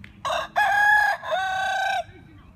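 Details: Young chicken once thought to be a hen, revealed as a rooster, crowing: a short opening note, then a long, loud harmonic middle phrase and a sustained, slightly wavering final note, all within about two seconds.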